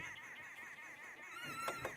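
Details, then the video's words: Arrow-marked babblers at sunrise on 18 August 2016 in Sabi Sand, babbling from a fallen knob thorn: several birds keep up a continuous harsh, wavering chatter, overlapping in a busy rolling babble, with a few louder notes near the end. "the arrow marked babbler and you can hear them babbling away in that Fallen knob Thorn"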